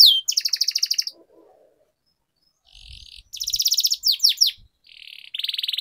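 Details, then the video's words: Canary singing a training song meant to get a silent bird singing. A one-second rattling trill, a long silence, then softer buzzes, a bright trill, quick downswept notes and a final buzzy roll. "Canary Singing Training, Kenari Gacor Ngerol Panjang,Pancingan Kenari Macet, Masteran Kenari Paud"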